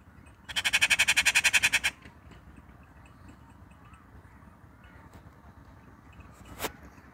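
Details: A Rufous treepie (Dendrocitta vagabunda) calls: a loud, harsh rattle of about a dozen rapid grating notes over one and a half seconds, then silence apart from a single sharp click.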